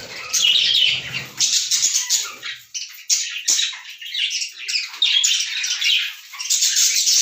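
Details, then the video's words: Lovebirds chattering in a dense, shrill, continuous stream of scratchy high notes, rising and falling in loudness with short dips, several birds seemingly calling together. "love birds sounds"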